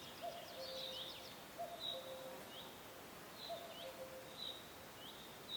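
Several birds in a forest: soft low whistled notes in pairs, roughly every one to two seconds, over high thin chirps and twitters, with faint background hiss.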